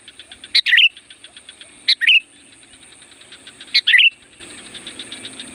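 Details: Sooty-headed bulbul, a strong call-in song for wild bulbuls, three bright, jerky phrases spaced irregularly, each a clipped note and chattering flourish; rapid soft ticking throughout, then a louder hissy buzz closes the passage.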